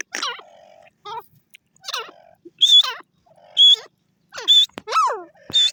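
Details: Grey francolin calling: loud, harsh harmonic notes with steeply descending sweeps and a high whistled tone, repeated roughly once a second in a quiet setting with no other clear sounds.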